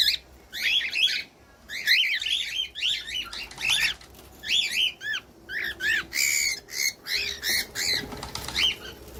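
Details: Song of a cockatiel, played to teach a pet bird to sing: dense runs of sharp arching chirps and buzzy notes, almost continuous, with a faint low hum underneath.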